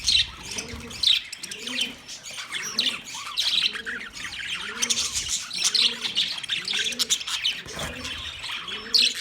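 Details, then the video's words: Budgerigars heard 9 March 2024, giving a steady stream of high squeaky chirps and squawky warbles, accompanied by rhythmic low cooing notes repeating about once a second behind them. "Relaxing Sound Of Budgies"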